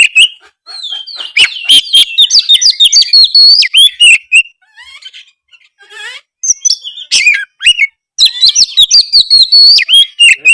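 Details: Oriental magpie-robin pouring out a loud medley of fluty whistles, quick trills and harsh chips, used to stimulate idle birds to respond, with a brief softer gap in the middle.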